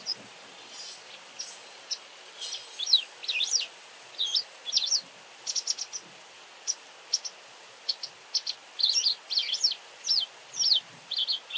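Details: White wagtail, a very vocal individual, gives bursts of thin, high chirps and slurred twittering notes, a few quick notes at a time with short gaps, roughly twice a second overall, over a soft steady hiss.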